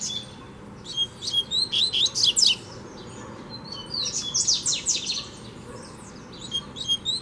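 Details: Double-collared seedeater, a wild free bird coming in to challenge a caged one, delivering rapid strings of bright, high chirps and whistled slurs in two long bursts, then scattered notes.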